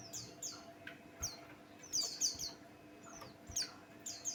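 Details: Buxtoni white-eye song meant to stir other birds to sing: quick high sliding twitters in short clusters, some louder and sharper, separated by brief pauses, with a faint constant background hum.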